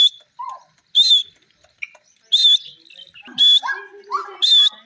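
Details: Grey francolin giving loud, piercing, ringing notes about once a second, with softer lower chirps and scratchy sounds between them.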